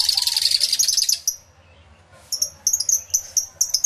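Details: Aviary flock of lovebirds, captured on a camera with two external microphones: a burst of loud, high chattering, a short quiet gap, then sharp separate chirps repeated about twice a second.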